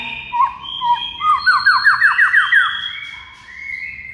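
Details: Murai batu (White-rumped shama) masteran song for coaxing a silent shama to sing: whistled opening notes, then a fast rolling run of about eight repeated rising slurs, ending in a long steady whistle.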